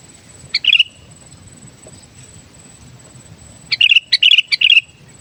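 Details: Kept sooty-headed bulbul singing energetically for use as a lure: one brief bubbly phrase early, then after a quiet pause three closely spaced chirpy, warbling phrases in quick succession; steady faint hum beneath.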